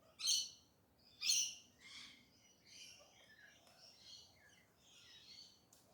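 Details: Early-morning galahs in urban Perth, Australia: two loud harsh screeches open, then softer scratchy, chattering notes trail off against a faint hiss.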